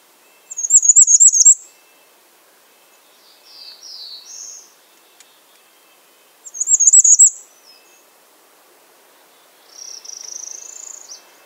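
Bay-breasted warbler giving two bursts of very high, thin, rapid notes about six seconds apart, with softer, slightly lower wispy phrases in between; otherwise quiet.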